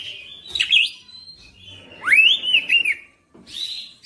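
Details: Oriental magpie-robin in full-repertoire singing (bongkar materi): a short warble, a thin steady whistle, then a strong rising note leading into a wavering whistled phrase, with brief pauses between parts.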